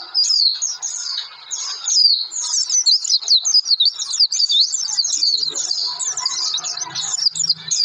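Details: Lively Oriental white-eye song played as a lure so birds start singing: a long, fast, high-pitched warbling chatter of slurred squeaks, steady throughout with faint low sounds toward the end.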